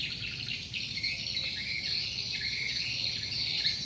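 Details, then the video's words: Swiftlet lure call drawing in a flock: unbroken shrill twittering from numerous birds, short sliding chirps layered over a continuous buzz. "Suara Burung Walet, Download Suara Panggil Walet"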